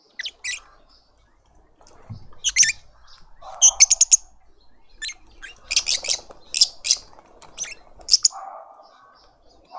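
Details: At a suburban garden feeder in Pretoria, South Africa, lovebirds feed a juvenile. Scattered sharp, high chirps come in short rapid clusters, with a few softer buzzy notes between them.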